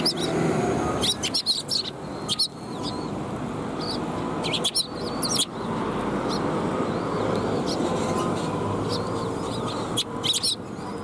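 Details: Sparrows coming to be fed at a Tenmangu shrine on the afternoon of 18 March 2021; short, high, scattered chirps in irregular bursts over a steady low background hum.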